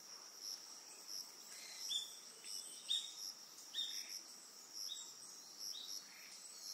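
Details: Amami Oshima, Japan: an Eastern yellow wagtail utters five or so brief, thin, high call notes at irregular gaps of about a second, set against unbroken high-pitched insect chirping.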